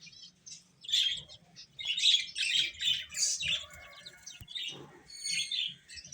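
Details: Baby chickens eating while chirping: loud, high peeps in quick clustered bursts, pulsing roughly every half second, with several birds calling over each other.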